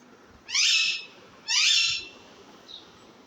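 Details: Baby parrot giving two loud, harsh, raspy screeches, each about half a second long and rich in overtones, separated by a short pause, over quiet background hiss.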